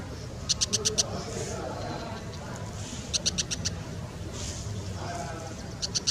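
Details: Brown Shrike calling in three separate bursts of rapid, harsh, clicking chak notes, four or five per burst, high-pitched and dry, with soft background noise between.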